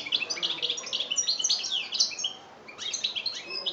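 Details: Song of a European goldfinch in Algeria, 2013, in the style called chbab: continuous rapid high twittering and liquid trills, pausing briefly before resuming.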